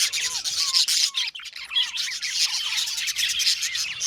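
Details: Aviary flock of Australian budgerigars singing and chirping; several clear, falling whistled notes stand out early over a busy background of buzzy, high-pitched chatter from many birds.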